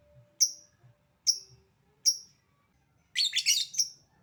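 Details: Lovebird calling, starting with 'ngetik' and moving into 'ngekek' chatter: three sharp, high ticks spaced under a second apart, then a dense, shrill burst of rapid chattering notes lasting almost a second.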